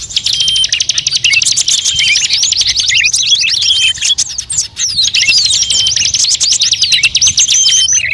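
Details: Blend of calls from numerous species including prinia, drongo, shrike and starling, intended to attract birds; continuous rapid high chirps and trills, easing slightly midway before resuming at full density.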